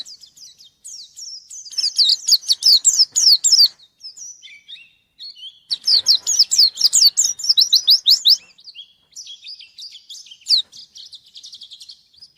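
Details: Pleci (white-eye) in full song, challenging a rival: two bursts of fast, high, stuttering trills of rapidly repeated notes, separated by softer scattered twitters and brief whistled slurs.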